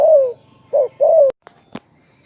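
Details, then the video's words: Close spotted dove cooing, one long falling coo followed by a short note and another drawn-out coo, then a couple of sharp clicks. "นกเขาใญ่ ,เจ้าพายุเสียงทอง,เรียกหมานๆ100%"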